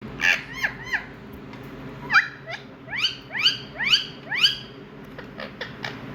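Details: An Indian ringneck parrot (rose-ringed parakeet, Psittacula krameri) calls with harsh, shrill screeches that slide downward, about eight in six seconds, some in quick pairs, over a faint low hum.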